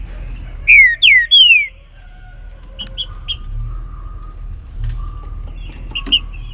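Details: Green-winged saltator (trinca-ferro) singing its baruc-style song in the morning: three loud, clear whistled notes, each sliding downward, given in quick succession, then faint distant whistles and soft chirps over low background hum.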